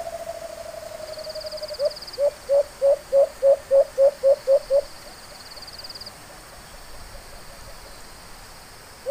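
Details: White-eared brown dove, locally called alimokon, heard during a bird hunt: after a long low steady tone, about ten short hollow hoots at a fixed low pitch follow in a quick even series over three seconds, then quiet background hiss.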